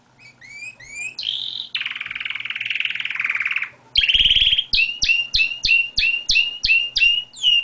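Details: Singing pet canary, out of its cage as usual: paired chirps, a dense buzzy rattle lasting two seconds, then a bright series of sharp descending notes repeated rhythmically about three times per second.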